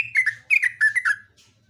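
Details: Brief fragment of vigorous Yellow-vented bulbul song: four quick liquid, descending chirped notes in a row, slightly husky, then a fading soft note, over a low hum.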